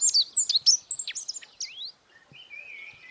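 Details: Godlewski's bunting (Emberiza godlewskii), bird of the Altai mountains and Siberia, sings a fast, high jumble of thin chirps and sliding notes for two seconds, then a softer drawn-out whistle.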